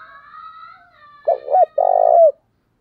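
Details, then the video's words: Spotted dove used as a decoy to make wild doves coo: faint distant cooing, then a loud close phrase of two short rising notes and a long, low, pulsing coo. "Chim Cu Mồi Thúc Gù/ muốn chim bổi nhanh nổi và gáy nhiều"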